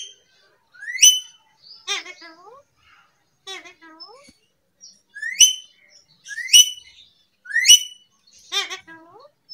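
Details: Pet parrot mimicking sounds: sharp rising whistled notes alternate with harmonic speech-like calls that sweep downward, repeated in bursts with short silences, indoors and otherwise quiet.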